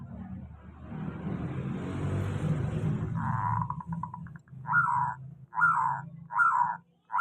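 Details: Local zebra dove singing a steady lure song meant to stir doves that sing little; after three seconds of loud low rumbling noise, short buzzy trilled cooing phrases start and repeat about every second.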